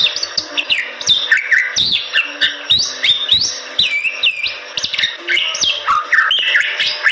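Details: Bali myna in energetic gacor singing, pouring out dense, varied whistles that swoop up and down, broken by sharp clicks and rasping notes with hardly a pause.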